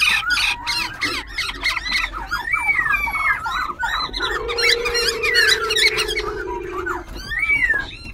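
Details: Caged semi-wild Black-throated Laughingthrush in Bình Chánh, Ho Chi Minh City, in dancing song with continual voice changes. Dense chattering, clicking and whistled phrases over a long sustained low tone, with a constant background hum.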